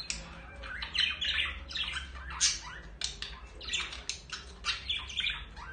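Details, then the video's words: Budgerigar pair courting before mating, giving dense, harsh chattering with grating squawks and short bright chirps tumbling over one another without pause, over a faint low background hum. "تزاوج البادجي أو البيروش وحركات الرومانسية بين الطائرين"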